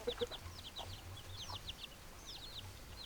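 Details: Chickens heard through a constant low hum: busy bursts of thin, high, hooked peeps tumbling over one another, with a couple of soft lower notes at the start.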